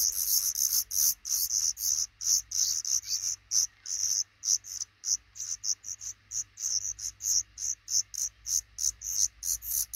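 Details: Nest of a black redstart couple with five young, placed under the roof over a frequently used front door; short, sharp, high hissing bursts repeat steadily, roughly two or three per second, for ten seconds.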